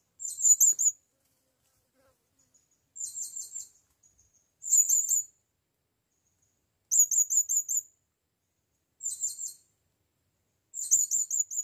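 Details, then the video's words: On its first outing to the forest, a blue-crowned hanging parrot calls for a female with short bursts of very high, sharp, chattering notes, repeated roughly every two seconds over six bouts. "Serindit memaggil BETINA"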